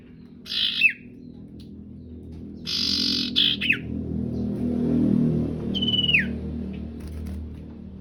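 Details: Male and female sooty-headed bulbuls giving harsh, scratchy bursts that finish in steep downward-slurred whistles, three phrases spaced a few seconds apart, over a low rumbling background.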